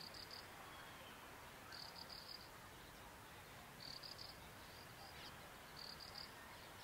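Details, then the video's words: A Graceful Prinia calls with short, high, buzzy pulsed bursts about every two seconds, faint over a steady background hiss. "Graceful Prinia calling"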